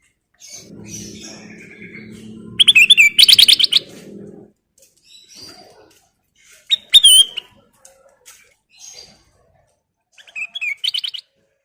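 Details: Black-crested bulbul (kutilang emas) singing in lively gacor style: short chattery bursts of sharp, buzzy notes in a high register, some rising and falling, separated by pauses, after an opening low hum and rustle.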